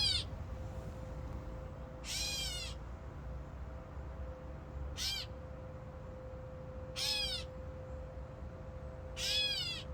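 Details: Among fig trees, a catbird repeats harsh, mewing cat-like calls, five brief arched notes about two seconds apart, with a thin steady hum in the background.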